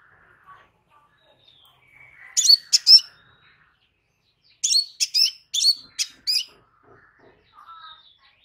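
Crimson sunbird giving short bursts of high, sharp chirps, three at first, then a quicker run of five, with faint twittering between.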